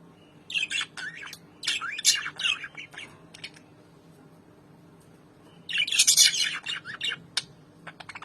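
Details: Pet albino lovebirds with red eyes, reunited after over four months apart, trading rapid high-pitched chatter: dense runs of screechy, twittering notes around four per second, a quiet spell in the middle, then another loud burst and a few clicks.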